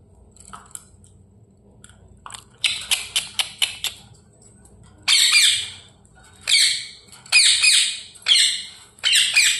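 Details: Talking parrot first makes a rapid burst of short clicking chirps, then after a pause a run of five loud, raspy squawks of similar length, evenly spaced; quiet indoor background with faint low hum.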